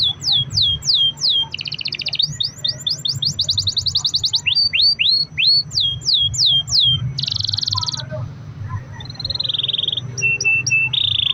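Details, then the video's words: Long-rolling canary song meant to encourage other canaries to sing: falling whistles, rapid rattling trills, rising slurred notes, then a buzzy roll and steady high whistled tones. "kenari gacor ROL PANJANG buat pancingan kenari agar bunyi"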